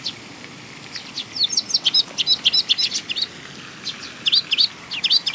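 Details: Young sparrows coming to be fed at a Tenmangu shrine, 18 May 2021, give loud, high, rapid chirps in excited bursts, roughly four per second, with a brief pause in the middle.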